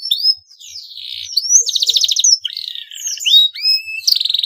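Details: Male canary in breeding condition, singing to stimulate rival canaries into song: a rapid, varied run of high whistled slurs, buzzy trills and sharp chirps with brief pauses between phrases.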